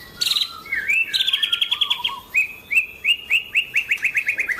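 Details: Song of a white-rumped shama described as a frequent competition champion and in full voice: a bright opening burst, a fast trill of repeated notes, then clear whistled notes rising in a series, each repeated about twice per second.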